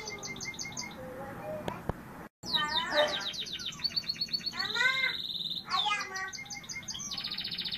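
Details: Gloster canary song with rapid trilled phrases, sweeping whistled notes and a steady buzzy trill, after a brief gap early on; faint speech-like murmur in the background.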